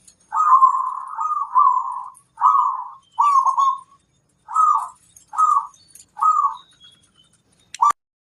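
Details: Zebra dove, kerot koar call used to raise mood and breeding readiness in other doves: a series of rough, rolling coos in short bursts, some joined, slowing to spaced single phrases, with faint high chirps of other birds.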